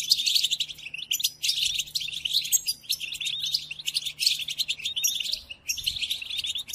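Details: Tutoring song of the European goldfinch for captive birds: fast, jingling twitters in long phrases broken by short gaps, mixing clear chirps with scratchy buzzes; a faint steady hum below.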